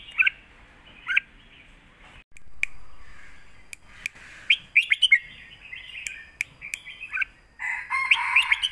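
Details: Red-whiskered bulbuls kept in cages duel in song, matching phrase against phrase in the southern master-pattern style. Quick warbled notes arrive in clusters, then a denser burst of overlapping chirps closes the stretch, with clicks and faint background noise.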